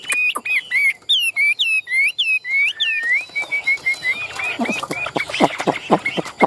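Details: Caged Chinese hwamei in Vietnam, giving clear swooping whistled notes in quick succession, then a run of short even notes and harsh clicking sounds, with a man talking.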